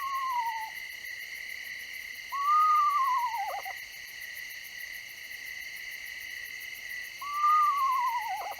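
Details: An Eastern screech owl of central Texas gives two quavering whistles that rise slightly, then sag downward, about five seconds apart, over a steady high electronic or insect-like drone.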